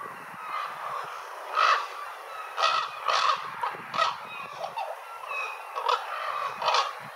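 Ravens give harsh, hoarse croaking calls, about six or seven in a few seconds at an uneven pace, over a steady background hiss.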